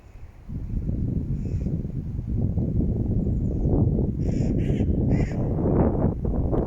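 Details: A grey heron in Regent's Park, London gives a few short, harsh croaking calls, one early and a quick cluster near the end, over a heavy rumble of wind.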